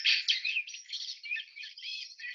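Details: Male common blackbird's courtship song, one example of its many songs, played during a talk on sexual selection in birds: a quick, high, twittering warble of rapid chirps and trills, with no other sounds.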